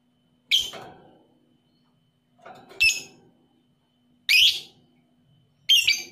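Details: Lovebird, 'paud' type, used as a provoking recording for lovebirds reluctant to sing; four harsh, shrill chirps spaced irregularly one to two seconds apart, some preceded by softer chattering.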